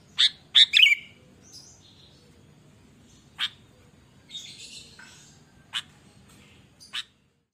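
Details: Sooty-headed bulbul singing energetically: a quick run of bright, bubbly chirps opens the phrase, then scattered sharp chips and a soft rustling call follow amid near silence.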